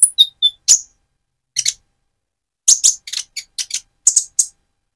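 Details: A Van Hasselt's sunbird in mottled moulting plumage gives stimulating song for another bird: brief thin whistles and sharp chips, a pause, then a spaced series of high, dry, buzzy chirps.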